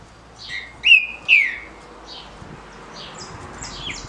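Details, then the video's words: Caged green-winged saltator singing a short, smooth Paraná-style song, known as trinca-ferro canto curto liso, a song for competition circles: two loud clear whistled notes sliding downward, followed by faint high chirps of other birds. "TRINCA FERRO DE CANTO CURTO LISO PARANÁ (CANTO PRA RODA)"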